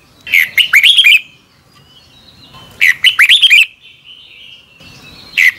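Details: Morning song of a red-whiskered bulbul, used as lure-bird audio for training other birds: two bright warbled phrases of rapid looping whistles, each about a second, separated by a soft sustained tone, with another phrase beginning at the end.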